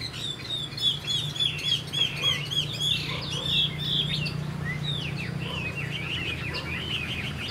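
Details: Caged juvenile Chinese hwamei of this year, flicking its tail during song. Bursts of rapid repeated whistled notes give way to looping slurred phrases over a steady low hum.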